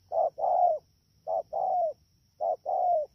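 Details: Wild-caught spotted dove, rainy season, Đak Tô, 3 October 2019, repeating a paired phrase three times: a brief clipped coo, then a longer hollow note sliding slightly down, separated by short silences.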